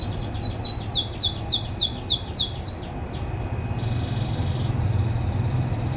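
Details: Caged canary from a private farm, morning song: loud, slower tours of bright downward-slurred notes for three seconds, then a single swoop, a brief flat buzz and a thin high rattle, with background hum.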